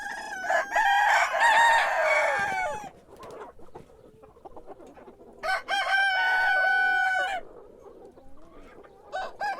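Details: Roosters crowing in the morning, two long harmonic crows a few seconds apart, the first dense and loud, with soft clucking between and a crow starting at the end.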